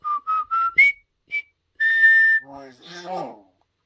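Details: Pet common hill myna practising a whistled march tune: three short whistles climbing step by step, a sharp upward slur, a lone note, a long held whistle, then harsh speech-like chattering sounds.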